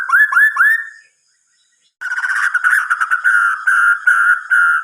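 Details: Three quick upward-slurred whistles from a white-rumped shama at night, a second of quiet, then a steady, buzzy run of rapidly repeated notes delivered in short pulsing bursts.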